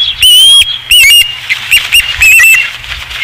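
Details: Osprey at the Dunrovin Ranch nest on 5 August 2016. Two loud whistles are followed by softer, shorter, clipped notes and a final pair of whistles, all within about three seconds.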